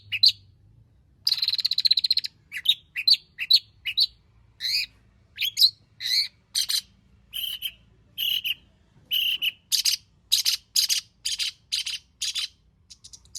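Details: Long-tailed shrike (cendet) singing energetically with a full repertoire of imitated material, used as a lure to draw out singing: rapid varied high chips, trills and short whistled notes in quick bursts, with brief gaps.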